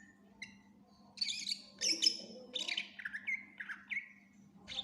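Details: Greater green leafbird singing energetically with a full song of varied fill-in phrases: quiet start, then loud buzzy and chattering bursts, followed by a series of short falling whistled notes, over a steady low electrical hum.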